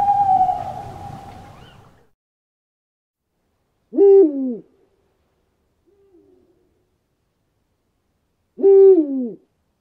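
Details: Owl calling at night in a forest, where a tawny owl and an eagle owl are heard; a held whistled note opens, then two hoarse, descending, harmonic calls come about five seconds apart amid silence.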